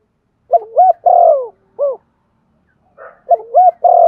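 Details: Spotted dove giving a stimulating coo to trigger singing: two low phrases, quick paired rising notes, a drawn-out descending coo and a separate short hoot, with a faint second bird between phrases.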